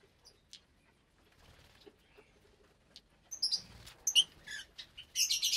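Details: Lovebirds at meal time in a cage aviary of about 25 birds in parblue, euwing, opaline, lutino and albino forms; quiet opening with faint chirps, then loud shrill squeaks and a harsh chattering burst at the end.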